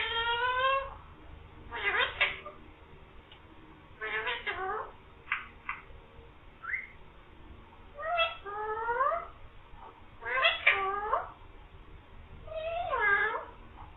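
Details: Talking green parrot voicing "mian mithu" and "meow" amid a run of varied utterances: short whistled notes, clipped syllables and falling meow-like slurs, about every one to two seconds.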